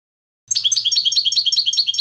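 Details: European goldfinch twittering in a quick, regular series of bright high notes, over a faint low hum.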